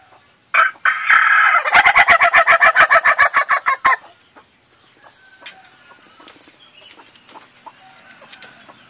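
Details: Ayam ketawa rooster opens with a harsh crow, then bursts into a fast run of about sixteen clipped, laughing pulses over two seconds before falling quiet, leaving faint clucks and scratching behind.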